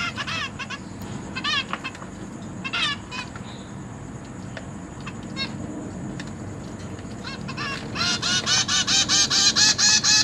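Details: Zebra finch chicks in a cage being fed by parents; sparse buzzy chirps for several seconds, then a fast continuous series of loud buzzy begging notes near the end.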